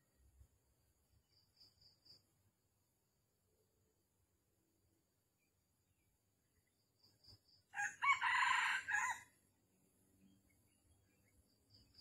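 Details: During a Vietnamese junglefowl trapping session on the morning of 13 December 2021, one loud crow of about a second and a half from a red junglefowl breaks a quiet background. Faint high chirps come before and after it.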